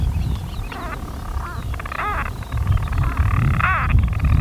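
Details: A European storm petrel, unseen, calls from its burrow in daytime on 5 June 2013 on Skokholm, Pembrokeshire, Wales: a stuttering, purring churr broken by a few rising-and-falling hiccup notes, half buried under a heavy low wind rumble; seldom heard by day.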